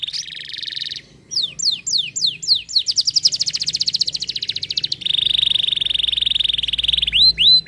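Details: Canary song with a brief buzzy opening, a run of sharp rising sweeps, a rapid rattling trill of high notes, then a long sustained buzzy trill ending in two quick upward-sweeping notes.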